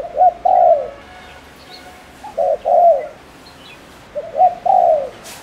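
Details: Spotted dove lure bird, Ninh Thuận, Vietnam, delivering fast coos to provoke males: three phrases about two seconds apart, each two clipped hoots followed by a longer, softly descending coo.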